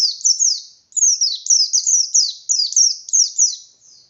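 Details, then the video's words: White-eye in ngalas style, singing with open beak to provoke rivals: a nearly unbroken four-second chain of high, thin notes, each dropping quickly in pitch, in an uneven rapid rhythm. "Burung Pleci Gacor Pendongkrak Emosi Pleci Lain"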